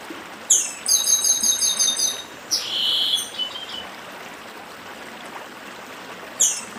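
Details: A chestnut-bellied seed finch of the Brazilian northeast sings a quick run of repeated high ringing notes, then a buzzy lower phrase, pauses, and starts again, with a stream rushing throughout.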